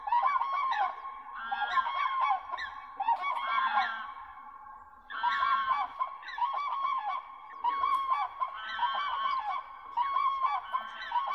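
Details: Mating ritual of common cranes (Grus grus) at Gjennestadvatnet, Norway: loud bugling duets in bursts of rapid, rolling trumpet notes, with a brief pause near the middle before the calling resumes just as strongly.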